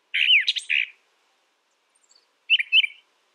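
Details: A brown thrasher delivers a harsh, mid-pitched chattering phrase, then after a pause a shorter, softer chirping phrase.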